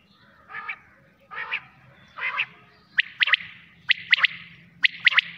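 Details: Quail heard at night: three rough, buzzy notes, then a run of sharp triple-note phrases repeated at about one-second intervals over a low background hum.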